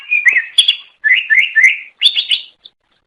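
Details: Cucak ijo, the greater green leafbird, singing its melodious song to attract others of its kind; quick sequence of rolling warbled whistles and sharp chip notes packed into short phrases, ending with a lone note.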